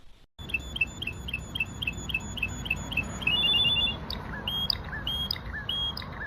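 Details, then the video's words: Russian canary song of repeated sharp high chirps several per second, then a brief rapid trill and scattered notes, over steady low background hiss. "rassion kanery"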